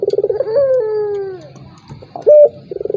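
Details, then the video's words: Turtle dove lure sound meant to stir a reluctant opponent into calling: a pulsing roll swells into a long descending coo, a pause, a short loud note, then another fast stuttering roll begins. "PANCINGAN BURUNG PUTER || COCOK UNTUK LAWAN YANG MALAS BUNYI"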